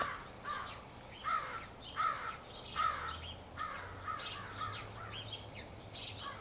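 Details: Large gathering of crows, perhaps choosing mates, recorded 4 April 2015; loud grating caws in bursts roughly every three quarters of a second, several birds overlapping, with a low hum underneath.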